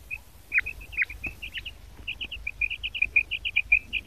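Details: Female quail calling in a steady stream of short, high clipped notes, a few louder doubled notes early on, then a quicker even series over faint low background hum.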